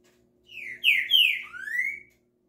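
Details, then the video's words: A Green-winged saltator, just moved to a new flight cage, sings a short, rich phrase of four loud whistled notes, slurring down then rising, over a faint steady hum. "Trinca ferro"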